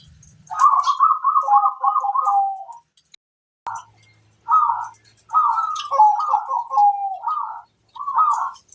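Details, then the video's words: Local zebra dove in strong voice, a master song to make other doves respond: rapid rippling coo phrases ending on a held lower note, repeated after a gap, with a faint low hum. "Suara sang masteran burung perkutut - master perkutut"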